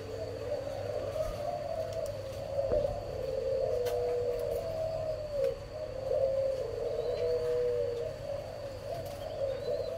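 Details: Spotted dove breeding parent birds of the 'âm còi' (whistle-tone) type, number 11, recorded 11 June 2023; low, smooth cooing notes run almost unbroken, overlapping into a steady drone, with a faint high electrical hum behind.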